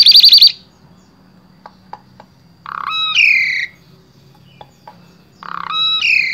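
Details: Asian pied starling from Wonosobo, Central Java, Indonesia, used as a song tutor for other starlings: a quick high trill, faint ticks, then buzzy grating notes running into loud harsh drawn-out calls, repeated twice.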